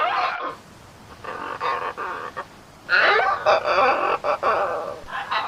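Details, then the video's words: Raucous macaw calls: coarse, rasping squawks in several bursts, the loudest and longest near the middle, with short silences between. "suara burung macaw"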